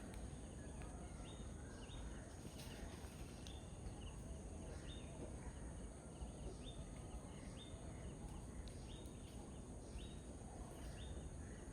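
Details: A pheasant-tailed jacana (Hydrophasianus chirurgus) calls with faint, high, nasal mewing notes, repeated roughly twice a second, over heavy low rumbling wind noise.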